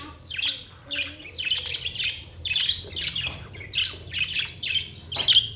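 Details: Budgerigars singing on 22 May 2023, a run of bright chirps and buzzy warbling phrases in quick bursts, about two per second, over a faint low hum.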